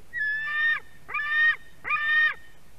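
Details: White-tailed eagle chick at a nest in Durbe, Latvia, screaming as an adult delivers fish, 31 August 2020, late afternoon; three harsh, harmonic-rich screams, each under a second, held level then dropping at the end.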